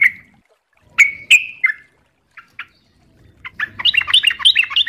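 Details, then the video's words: Sooty-headed bulbul in fast ropel-style song: a few isolated sharp chips and soft notes, then a rising burst of rapid, jumbled chattering whistles over a faint low hum. "MASTERAN TRUCUKAN GACOR||LANGSUNG NYAUT CEPAT ROPEL||TERAPI TRUCUK"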